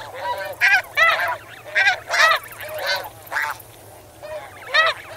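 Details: Close snow geese in a flock, swimming and wading in water: loud nasal honks in bursts, each harmonic-rich and slightly arched, separated by short pauses, with a high cricket trill in spots and a low hum.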